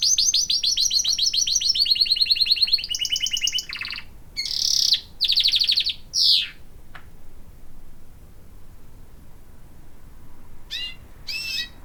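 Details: Pet canary singing while bathing and drinking, kept indoors: about four seconds of fast, high trills in rapid repeated notes, then short bright bursts and separate chirps between quieter pauses, with faint splashing background.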